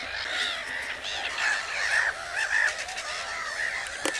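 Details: Several common cranes trade rolling, slightly wavering trumpet calls. The calls rise and fall in loudness, and a sharp click is heard just before the end.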